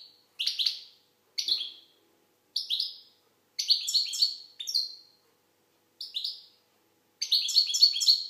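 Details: Algerian goldfinch mixing single high downslurred notes with denser rippling twittered runs, the last phrase a fast tinkling cluster.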